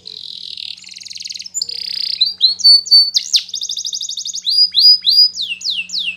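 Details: Training song from a yellow Spanish Timbrado canary: buzzy trills at first, then a rapid rolling trill and a string of clear descending whistled notes repeated about twice a second.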